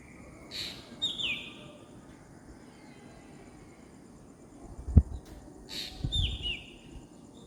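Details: Birds chirping in the morning outdoors: a few short, high, down-slurred chirps in quick pairs near the start and again near the end, with quiet gaps between, over low thumps and a soft rumbling background.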